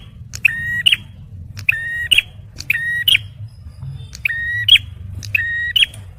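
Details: Male bar-winged prinia song, used for luring and encouraging stressed birds: five evenly spaced buzzy phrases, each a flat harsh note ending in a bright chip, over a constant low background hum.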